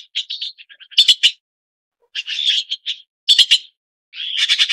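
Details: Red-billed blue magpie (Chinese blue magpie) with a varied harsh sequence. Soft short clicking notes lead into loud grating bursts, then a drawn-out rough call and more rasping chatter, with quiet gaps between.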